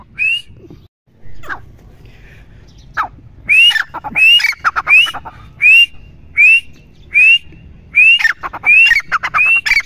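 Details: Grey francolin, known locally as teetar, calling: after a few faint scattered notes, loud rising whistled notes repeat about every 0.7 seconds, each followed by short harsh clicking notes.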